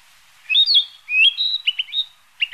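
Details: A Narcissus flycatcher on migration gives a short bright phrase: high slurred whistles, then a flat sustained note and quick clipped chips. A final pair of sharp notes follows after a short gap.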